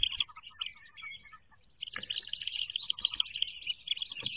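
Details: A brood of wood duck ducklings calling from within their nest box in 2023, high piping peeps that dip briefly near two seconds, then resume as a steady, crowded chatter.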